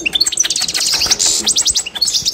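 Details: Algerian Constantine goldfinch song used for training learning birds: a dense, fast, high twittering run of bright metallic notes with buzzy trills, continuous through the clip, with faint background noise.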